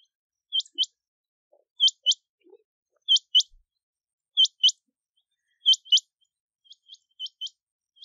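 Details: Rain quail calling: crisp, metallic doubled notes, chrink-chrink, spaced evenly about every second and a quarter, with fainter distant pairs at the end and a few soft low sounds.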